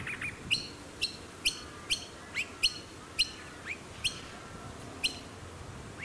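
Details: Blue-faced honeyeater calling alongside Noisy Miners on the Sunshine Coast, Queensland, in August 2020: sharp, clipped high notes repeated roughly every half second, mixed with a few short downslurred chirps.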